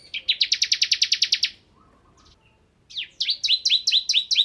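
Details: Ciblek kristal, a bar-winged prinia, singing gacor: a fast, even burst of about fourteen high chirps, a soft pause, then a run of downslurred chips repeated briskly.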